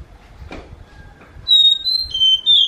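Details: Oriental magpie-robin whose voice is said to resemble a kitten meowing; near-silence with a faint click, then from halfway on loud, clear high whistled notes held steady, the last ones stepping slightly lower.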